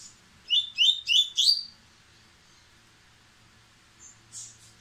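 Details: Song of a white-breasted White-throated seedeater, described as impetuous and gathering speed: a quick burst of four loud, ringing upslurred notes, then quiet with faint high sounds near the end.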